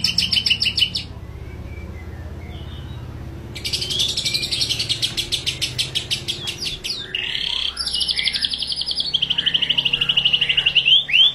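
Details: White-rumped shama in full 'tembakan' song: a short burst of high chirps, a pause, then dense rapid chattering and sharp whistled phrases pouring out almost without a break, all high-pitched over a faint low hum.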